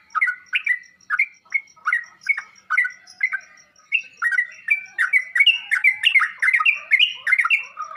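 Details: Bubbly, slurred whistles of a sooty-headed bulbul, used to prompt other bulbuls to reply and sing. Separate notes at first, then denser rolling phrases that run together. A faint steady high thin tone continues underneath.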